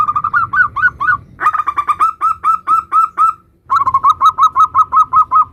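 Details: Local zebra dove singing the 'nutut' style, a lure for other zebra doves: three phrases of rapid rolling coos, each a string of evenly repeated bubbling notes, the last phrase quick and pulsing, with faint low hum behind.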